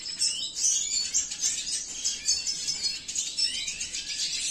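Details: Cinnamon-mutation male Venezuelan siskin at a breeding facility sings steadily: thin, high chirps and quick trills packed closely together, pulsing several times a second without pause.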